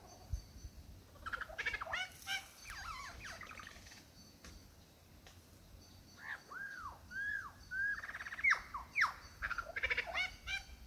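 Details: Male lyrebird in the Dandenongs singing his repertoire to a female: scratchy chattering notes, a quiet gap, then a series of arched whistles, each rising and falling, and sharp whip-like calls.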